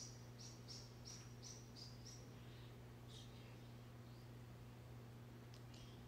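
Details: A pet Java sparrow, being stroked in the morning, gives quick, high, thin chirps in a rapid run of about seven notes, then a few scattered ones, over a steady low electrical hum.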